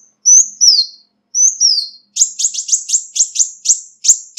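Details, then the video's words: Ruby-cheeked sunbird calls used as a lure: high thin whistled notes slurring downward, given in pairs, then a fast run of sharp chipping notes about five per second, clean with no background noise. "Tiếng chim Xanh tím mồi chuẩn mp3 không tạp âm| Ruby-cheeked Sunbird | นกกินปลีแก้มสีทับทิม"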